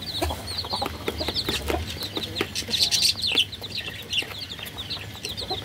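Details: Baby chicks heard a little farther off, their thin high cheeps overlapping in a busy chatter, mixed with clicks and faint low rumble.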